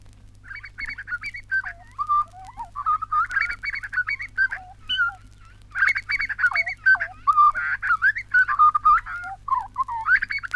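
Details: Grey Butcherbird, recorded in Australia for a 1968 wildlife record, sings rich, rollicking runs of fluted and gurgling notes, rising and falling in quick bursts with brief pauses, over a low steady hum.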